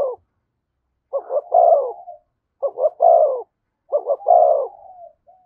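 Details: Spotted dove near a decoy bird, cooing thúc gù. Three evenly spaced phrases, each two short quick notes then a long rich coo, with faint trailing hoots after the last phrase.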